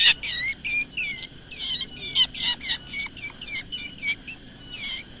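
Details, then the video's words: Black drongo lure call: an uneven series of sharp, twisting, harmonic notes with some brief pauses, fading toward the end. "suara original srigunting hitam untuk pancingan"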